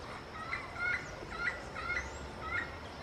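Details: Yellow-fronted parrot communicating with its peers through four scattered nasal squawks with a two-toned ring, irregularly spaced across three seconds against low background noise.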